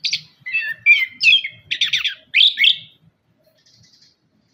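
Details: Orange-headed thrush song played as a lure to coax caged thrushes that have gone quiet after moulting: short whistled and chattering phrases, some rising, some falling, in a quick burst of about seven notes, then near silence.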